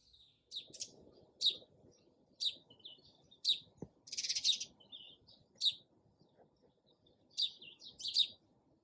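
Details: Sparrow chirping: short bright chirps repeated about once a second, with a louder buzzy burst in the middle, over a low background rumble.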